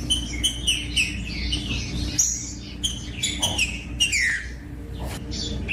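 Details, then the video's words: Green-winged saltator singing, used to warm up other saltators into song: short clear whistled notes and downslurred phrases repeated in quick bursts, with a steady low hum underneath. "COM TRINCA FERRO CANTANDO"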